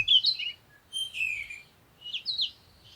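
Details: Three separate sunrise chirp phrases, each a quick run of high, squeaky twitters with whistled slides, spaced about a second apart, over a faint low rumble.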